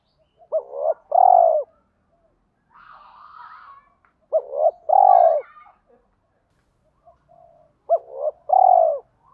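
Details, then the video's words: Lure spotted dove calling in the 'thổ' voice mixed with 'thúc đấu' fighting phrases to attract wild doves quickly. Three two-part coo phrases about every three seconds, each a bent hoot then a long mellow coo, with soft twittering between. "chim cu gáy giọng thổ pha thúc đấu rút bổi nhanh về"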